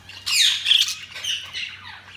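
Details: One bright, rasping budgie note that slides down into a short warbling chatter, then fades into softer murmuring.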